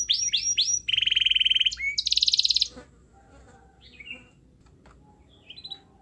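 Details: Canary singing as a lure to make a quiet canary sing. Three falling whistles, a buzzy rattle and a harsh trill fill the first three seconds, then only faint scattered chirps over low background noise.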